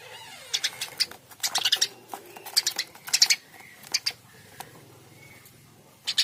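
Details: Eurasian tree sparrow calling in lively bursts: scattered, sharp, high chirps, some clustered into quick runs, with short gaps and faint lower background noise between them.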